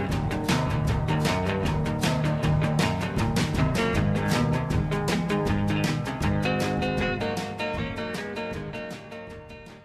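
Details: Upbeat rock music with driving guitar and drums plays throughout and fades slightly at the end, with no animal sound.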